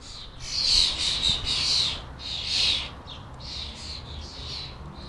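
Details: Fledgling European starlings at a UK garden bird table, several young begging while being fed: harsh, wheezy screeches in overlapping bursts, about one a second, with faint low background rumble.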